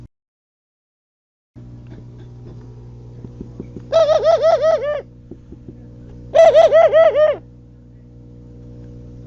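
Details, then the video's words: Two rhythmic pigeon coo phrases about two seconds apart, each a rapid chain of five or six bouncing, throaty pulses, over a constant low hum with scattered soft taps. "صوت الحمامة " _ Sound of pigeon"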